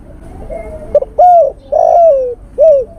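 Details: Male spotted dove calling to a female, a lure recording: a quick double hiccup followed by three deep, smooth coos, the second longest and slowly sliding down, the last short and arched.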